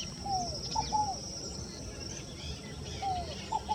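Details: Scaled dove (Columbina squammata), song.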